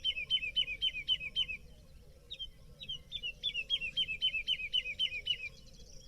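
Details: Woodlark song recorded by day, with other birds singing in the distance (the species also sings at night): fast runs of sweet, liquid notes, about four a second, falling in phrases after a short pause.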